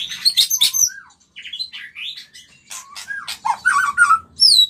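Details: White-rumped shama singing as a mating lure to bring on breeding, quick mixed chirps and twittering, a brief pause, then rich whistled slurs and clear falling notes at the end.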